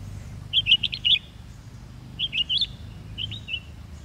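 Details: Chestnut-bellied nuthatch at the old HMT factory on the Sattal bypass road, India, on 5 November 2022, giving three quick bursts of sharp, high, chipping notes, five then four then three, over a faint low rumble.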